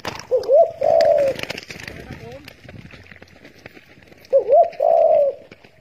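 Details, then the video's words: A hunting lure recording of spotted doves. Two wavering, rolling coo phrases, one at the start and one near the end, sound over loud crackling and hissing background noise. "Spotted doves calling!"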